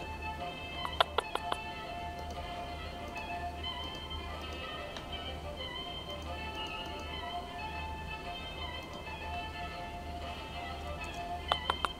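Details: Steady indoor music with a few sharp taps and clicks, and no animal voice.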